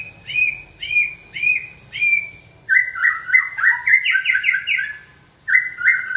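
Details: White-rumped shama trained to sing when given a signal: several evenly spaced rising whistled notes, then a fast rattling series of repeated notes that climbs in pitch, closing with a final short phrase.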